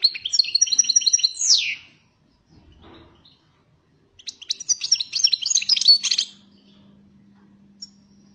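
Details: European goldfinch singing, described as fiery; two bursts of bright, rapid twittering and liquid trills, the first ending in a falling buzzy slur, separated by a pause, with a faint steady low hum after.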